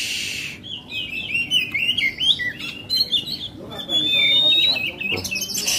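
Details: A caged Oriental Magpie-Robin, singing right after being hung up at a West Jakarta bird-market shop, gives a rich, fast run of varied whistles, trills and slurred notes, some sweeping upward; faint speech and shop noise are heard.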